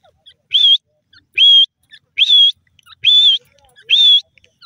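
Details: Grey francolin repeating a loud, clean whistled note that rises and wavers, five times at a steady pace of just under one per second, with quiet background otherwise.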